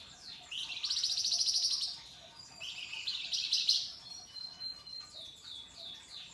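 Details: Singing flamboyan bird, lively and vocal, with coarse, sharp, crystal-clear phrases: a long harsh trill of fast pulses, a second rasping burst, then a string of quick high descending chirps and thin whistles.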